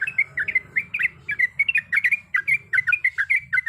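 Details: Female sooty-headed bulbul calling the male in long rolling song, delivering rapid, jumbled, gurgling notes about four or five per second, bright and warbling, over a low rumbling hum.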